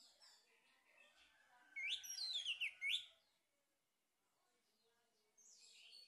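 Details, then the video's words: Lure song of a male orange-headed thrush: quiet background warbling builds into a loud, tumbling sequence of rising whistles and fast trills, then a pause and fresh high notes. "PANCINGAN ANIS MERAH JANTAN"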